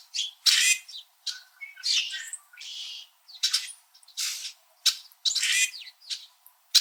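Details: Several red-winged blackbirds perched high in backyard trees in winter in Southern Ontario, Canada, chirping at each other: a busy run of harsh chirps, buzzy squawks and short chatters in quick, irregular bursts.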